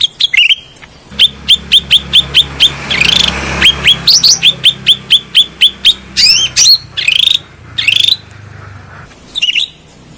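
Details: Grey-bellied bulbul (cucak rante) lure and therapy sound: a steady series of sharp, clipped whistled notes, about two per second, broken by short warbled flourishes over a low background hum.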